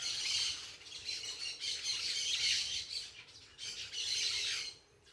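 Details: Loud parakeet flock: harsh, screechy squawks in rolling bursts about every second, dropping away toward the end.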